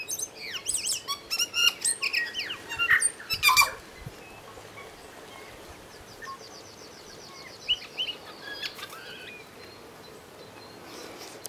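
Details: Tui delivering a dense burst of clicks, gurgles and whistled slurs for about four seconds, then a quieter stretch with a fast, thin repeated trill and a few scattered high whistles.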